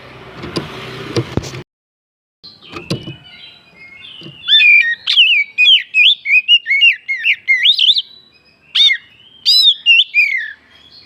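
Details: Oriental magpie-robin (kacer) song for luring other birds into singing: after clatter and a brief silence, a long run of loud, rapid, varied whistled phrases, sharply rising and falling, with short pauses.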